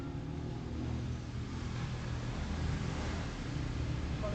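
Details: Steady roar of passing vehicle traffic with faint speech, and no animal sounds.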